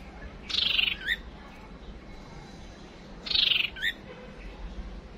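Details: Lure calls of a female white-rumped shama for stirring males into fighting: two identical rasping bursts slurring downward, each ending in a brief rising note, repeated about three seconds apart.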